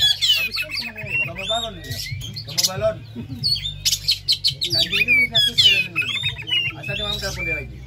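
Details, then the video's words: Kept Oriental magpie-robin (kacer) in a stimulating song recording: dense bursts of sharp whistles, trills and harsh chattering notes, rising and falling rapidly, with lower throaty sounds mixed in. "Terapi Kacer langsung konslet Ngeplay buka paruh "pancingan Kacer ampuh" supaya cepat bukor"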